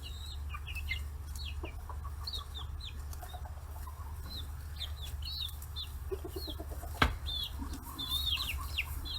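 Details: Free-range 40-day-old chicks crowding around fish heads on a farm in Kitahiroshima, Hiroshima, Japan; many short, high, downslurred peeping chirps overlapping continuously, with a steady low hum and a sharp knock near the seventh second.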